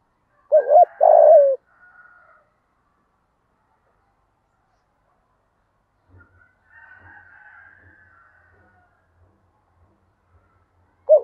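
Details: Decoy spotted dove in 'giọng thổ' voice, used to stir wild doves. A single loud phrase of short coos and a long falling coo opens, then faint scattered sounds and low ticks. Another phrase begins at the end.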